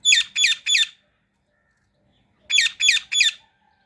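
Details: Indian ringneck parrot calling in two bursts of three harsh, rasping squawks each, about one in every quarter second, with a silent pause of about one and a half seconds between.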